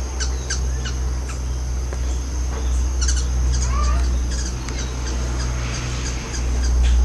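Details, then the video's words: Three hummingbirds fighting over a back-porch feeder near San Isidro, Costa Rica, in summer: rapid sharp high chips in quick bursts, several per second, with one short rising squeak, over a steady low rumble. "Hummingbird WAR"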